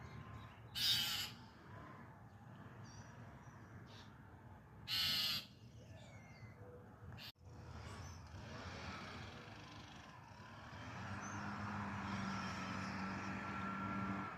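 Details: Hungry loggerhead shrike chicks of a family in Florida give two loud, harsh, raspy begging bursts about four seconds apart, over a steady background hiss and rumble.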